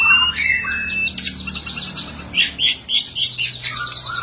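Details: Energetic caged white-rumped shama fighting song used for training: whistled opening phrases giving way to a fast chattering string of sharp high notes, loud pulses near the end.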